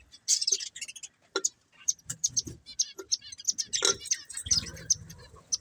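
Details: Budgerigars, a breeding pair, chirping: a rapid, uneven stream of short, sharp, clicky high notes with a few brief warbled tones, broken by soft low thuds and rustling around the second and fourth-to-fifth seconds.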